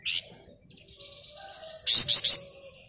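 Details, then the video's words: Flamboyan bird with sharp, high rising chirps: one early note, a quiet pause with faint tones, then three loud, harsh, upswept notes in quick succession. "Burung Flamboyan Gacor Ngebren Rapat Nyerecet Emosi Cocok buat Pancingan"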